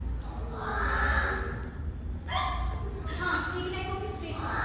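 A crow gives four harsh, drawn-out, nasal calls about a second apart over a steady low hum.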